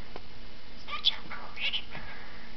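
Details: Two-year-old male pet cockatiel, which learned to speak before age one, mimicking speech in a thin, raspy voice with short high chirpy syllables over a low background hum.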